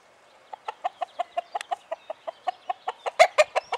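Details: Cockerel at Le Croissant near La Croix Tasset, Saint-Nicodème, Côtes-d'Armor, Brittany, France, on 28 April 2011, giving a run of short, clipped clucks that quicken and grow louder toward the end, with no sustained crow.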